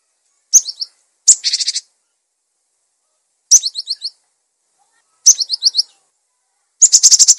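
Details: Cinereous tit, recorded as a masteran to train and prompt other birds, alternates phrases of three or four high falling whistles with grating buzzy churrs, a phrase arriving about every one and a half seconds.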